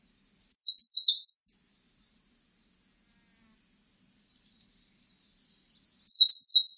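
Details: Eastern crowned warbler song: two high, roughly one-second phrases about five seconds apart, each a quick run of sharp, clipped notes falling into a buzzy, slurred ending, with silence between.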